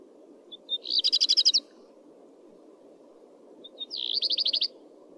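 Common redstart singing two short phrases: a thin lead-in note, then a fast trill of bright, high notes, over a low steady rumble.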